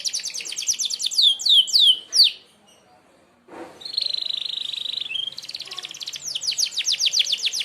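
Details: Canary 'merlok' sharp shot song used to master other birds: falling quick notes, a short silence, a steady buzzy held trill, then a run of rapid downslurred whistled notes.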